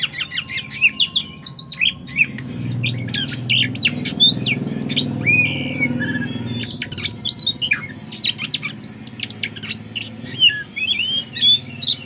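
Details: Energetic white-rumped shama song: dense bursts of high whistled phrases, clicks and rasping squawks with brief pauses, over a low background hum.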